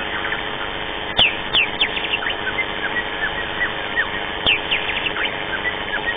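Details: White-rumped shama singing at a bird singing contest: varied short whistled and sweeping notes, some steeply descending, scattered through the clip over heavy constant crowd and venue noise with occasional sharp clicks.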